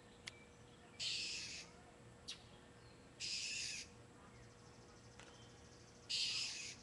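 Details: Agitated blue jay scolding a cat, captured by webcam at 3:41 PM on June 21, 2009; three loud, harsh, rasping calls, each about half a second long, spaced roughly two and a half seconds apart, with brief clicks between them.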